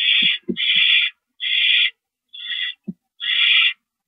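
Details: Owl at a rodent delivery, 9:01 PM, March 28, 2012: loud, breathy, hissing screeches, some long and some clipped, coming in quick uneven succession, mixed with short low clicks and knocks.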